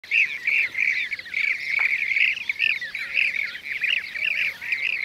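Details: ['Blue-cheeked bee-eater with a bee as prey; rolling, trilled calls repeat almost without pause, several birds overlapping in a dense chorus of short burry notes.']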